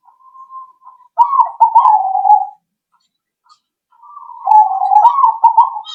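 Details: Zebra dove used as a lure to make other birds answer: low, rolling, burry coos broken into short staccato notes, given in two bursts with a pause between them, plus a faint high chirp.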